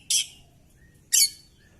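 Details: Oriental magpie-robin in a fighting display with tail spread, giving two short harsh rasping notes about one second apart.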